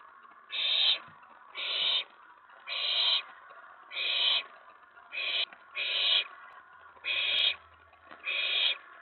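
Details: Owlet in a nest box at night, 19 May 2017, excited at an owl arriving on the tray; eight raspy hissing screeches in a steady series, roughly one per second, with light background hum.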